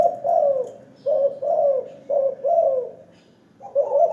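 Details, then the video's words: Caged spotted dove (terkukur) in a hanging cage, a frequent caller, giving loud, throaty rolling coos: several quick bursty notes, a pause, then more phrases. "Terkukur MP3 sangkar layang Rajin bunyi"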